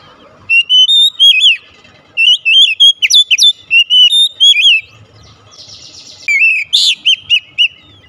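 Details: Oriental magpie-robin singing to entice: long runs of rapid looping whistles and twisting warbled notes in repeated bursts, with a brief harsh buzzy note before the song resumes.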